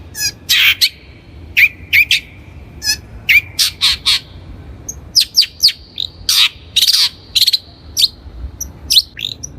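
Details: Lure recording of a Long-tailed Shrike for training birds: a lively, varied chatter of short harsh notes, nasal buzzes and brief whistles delivered in irregular bursts over nearly ten seconds.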